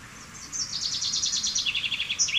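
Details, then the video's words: Common chaffinch (Fringilla coelebs) sings a fast falling trill of high chipping notes, then begins its terminal flourish as the song is cut off, over background hiss. "Canto del Pinzón Común"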